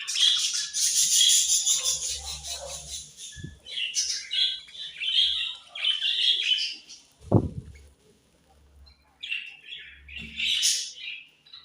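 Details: Pet budgerigars chirping in the morning: dense, busy warbling and chattering chirps high in pitch, several birds overlapping in bursts, with a brief low thump and a short pause near the middle, indoors.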